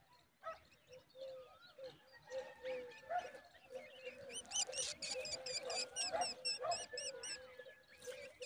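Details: Black drongo calls in the morning while feeding insects to its young, with high, sharp chirps repeating about twice a second in the second half, over a steady murmur of other birds.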